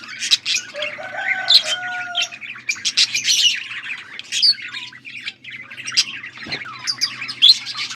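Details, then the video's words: Budgies chirping on August 14, 2024: overlapping high chattering with a few drawn-out whistled notes early on, then steady squeaky chirps and clicks from several birds, and one brief low thump. "Budgies sounds for lonely birds birds chirping sounds"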